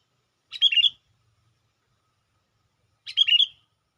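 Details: Sooty-headed bulbul used as a lure bird to call in wild bulbuls: two short bright chirpy phrases, each about half a second of quick bubbling notes, spaced about two and a half seconds apart against a quiet background.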